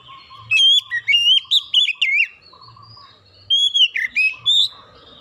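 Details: Oriental magpie-robin song played to lure birds into singing: two bursts of rich whistled phrases, quick slurred notes swooping up and down with sharp high accents, a brief quiet gap between bursts, faint low hum and a steady mid tone behind.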